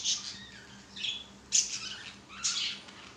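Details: Caged budgerigars playing on a swing: harsh, high squawks and chirps roughly every second, with softer warbling between them.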